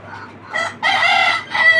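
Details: Deshi chicken from a small native-hen egg farm: a soft low call first, then three loud raspy bursts, the middle one longest and fullest, with a quiet pause between.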